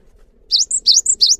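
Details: Gelatik batu (cinereous tit) singing in gacor style, a long song meant to prompt other tits to sing: after a short quiet start, three high, clear two-note phrases, each a steady whistle then a quick sweeping slur.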